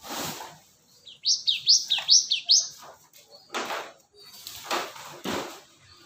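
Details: ['Lure recording of a cinereous tit: four quick high two-note phrases, descending then rising, in the middle of the clip, surrounded by loud thumps and rustling handling noises.']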